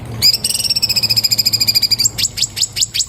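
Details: Orange-bellied leafbird recorded by iPhone 7 Plus for cage-bird training, delivering a long steady buzzy rattle followed by a series of sharp descending high notes.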